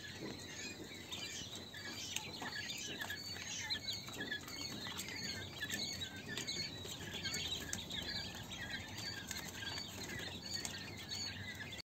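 King quail chicks keep up a dense, high-pitched chorus of thin overlapping peeps, with soft scratching and pattering underneath.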